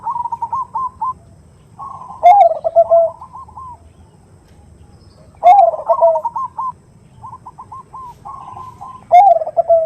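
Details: Perkutut (zebra dove) giving a 'khung' lure song, described as a female calling a male: bouncy runs of rapid notes interrupted three times by loud, coarse, descending coos, about every three and a half seconds.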